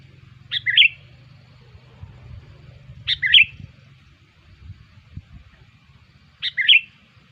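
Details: Sooty-headed bulbul lure call for attracting bulbuls. Three separate bright chirp-and-whistle phrases, about three seconds apart, over a low hum that fades midway, with faint knocks.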